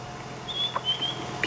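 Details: White-browed Scrub Robin giving the last call of the night on an evening safari drive at Djuma Game Reserve, 12 February 2016, near zebras: a thin, high whistled half-second phrase, then a sharper note, over a low hum.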